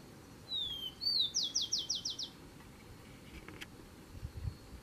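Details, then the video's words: Rufous-collared sparrow singing to defend its territory: a thin whistled opening note followed by a fast descending trill of about seven slurred notes, then quiet with a faint low rumble. "tico tico cantando defendendo o território"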